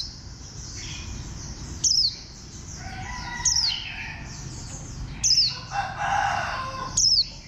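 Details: Green warbling white-eye with a bantam-like shape repeats four high, thin, downslurred notes at irregular intervals. Other birdsong and a lower, rooster-like call are heard between them.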